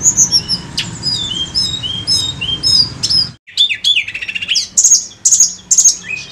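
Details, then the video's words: Tledekan gunung bird singing for a lure recording: a steady series of high slurred whistles, a brief break, then louder, varied phrases of sweeping notes and sharp clicks. "PANCINGAN TLEDEKAN GUNUNG"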